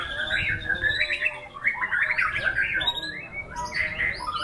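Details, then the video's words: White-rumped shama delivering fast, jumbled whistled phrases and chattering notes, mostly mid-to-high pitched, with rapid changes in pitch and a soft background drone. "Aksi MURAI BATU SNIPER memukau ngeplay dengan irama lagu mewah"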